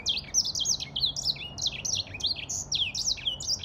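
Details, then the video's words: Continuous lively song of an African grey singing finch: rapid high, jumpy chirps and short slurred whistles strung together without pause, bright and twittering throughout. "تغريد ياسمين رصاصي افريقي chanteur "d'Afrique"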